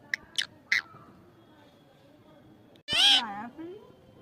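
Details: Talking parrot giving three short sharp notes, a pause of about two seconds, then one loud harmonic cry that wavers in pitch, followed by a soft low tail.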